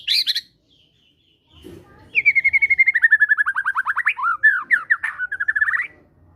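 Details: Caged fighter White-rumped shama giving energetic lure song with gelatik batu material: a short high chirp, then a long quick run of about thirty repeated mid-pitched whistled notes, roughly four per second, ending in varied slurred notes.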